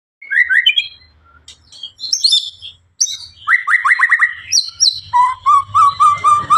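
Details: White-rumped shama (murai batu, Blorok type) singing a varied run of loud whistled phrases: rising slurred notes, then a quick burst of about six repeated chirps, ending in a series of evenly repeated sweet notes with a low hum.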